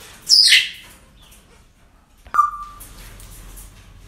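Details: Parrot at a breeding centre on an ordinary day, giving a harsh high screech followed by a sharp clipped call with a brief steady whistled tail; quiet room background between calls.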